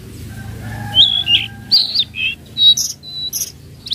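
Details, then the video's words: Flowerpecker (tledekan laut) lure call in the trotol style, for training untamed birds: a rapid series of thin, high, piercing tsit and tsweet notes, some slurred, over a faint low hum. "Pancingan Bunyi Tledekan Laut trotol Cocok Untuk tledekan Bahan"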